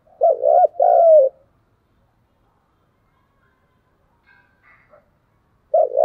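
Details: Spotted dove cooing in a fighting bout: a loud, deep phrase of a quick double note then a longer coo, a long silence with faint distant chirps, then the next phrase beginning at the end.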